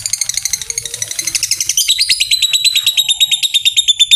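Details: Lovebird 'ngekek panjang', a long trilling chatter played to make other lovebirds answer: fast ticking notes shift into a steadier, flat-pitched rapid trill that runs unbroken to the end.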